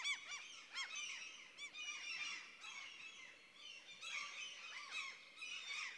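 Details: In a central Swedish forest, common cranes call over one another in a dense, overlapping chorus of ringing, arched notes that continues almost without a break.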